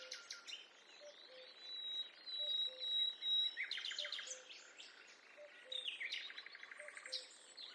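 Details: Several birds sing in a forest: a long even whistled note, then busy bursts of chirps, trills and rapid repeated notes, roughly two per second, with a faint low periodic tone underneath.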